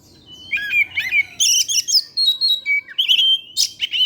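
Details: Oriental magpie-robin singing freely in the evening, a lure song: a tight stream of slurred whistles, buzzy trills and piercing chirps with almost no break.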